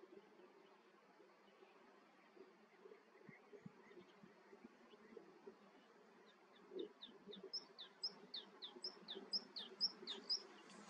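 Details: Melodious warbler song, filmed in the Eifel, Germany, builds from scattered chirps into a fast run of high, rising notes, about two per second and growing louder, over a low buzzing hum.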